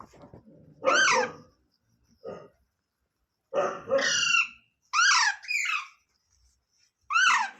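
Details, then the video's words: Parrot calling in short, harsh, strongly harmonic squawks that bend up and down in pitch, some doubled, in several bursts separated by silence. "Parrot sound videos | Parrot voice | Tote Ki Awaaz | Mitthu Ki Awaaz"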